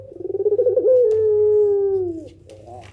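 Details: Single pelung coo from a Barbary dove, a call said to prompt replies from other doves: a rapidly pulsing rolled coo building in loudness, then a long smooth tone gently falling and fading, with a soft low hum throughout.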